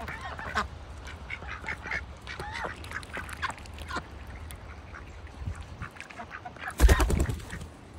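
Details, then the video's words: Ducks in a bucket on a farm in winter quack in a busy run of short nasal calls, then a loud thump near the end over a constant low rumble. "farm sounds. ducks in a bucket - wintertime."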